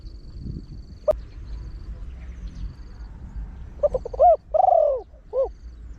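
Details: Trained Spotted Dove cooing in the rapid 'one kuk' style meant to draw in wild doves. After a quiet stretch with a sharp click, a single phrase of short notes, a hooped coo and a long falling coo arrives.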